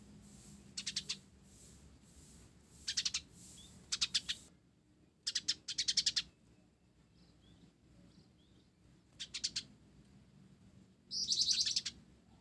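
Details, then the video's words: 'Blorok' olive-backed sunbird in lively song filled with sparrow-style calls: repeated bunches of fast, high, sharp chirps, a quiet stretch, then a dense buzzy burst of rapid notes near the end. "Kolibri Ninja Blorok Gacor isian Gereja"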